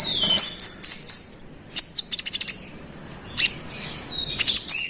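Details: Konin giving a vigorous rolling song aimed at rival birds: high thin whistles, clusters of quick sharp chirps and brief trills, with a short quiet pause midway.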